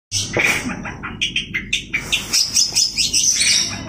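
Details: Long-tailed shrike singing actively: a busy run of sharp, high chirps and short trilled notes in quick succession, varied in pitch, with a faint low hum behind.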